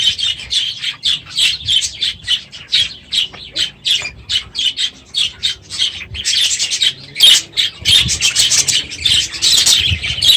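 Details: Aviary budgerigars at the end of the breeding season, unusually noisy in the morning: dense squawking chatter of many birds, harsh bursts repeated roughly every half second, swelling into a continuous din near the end.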